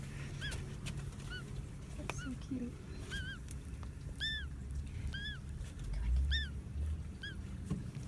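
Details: Duckling still inside the egg, described as snoring, gives a run of short high arched peeps at irregular intervals, with faint low rumbling and brief handling noises behind.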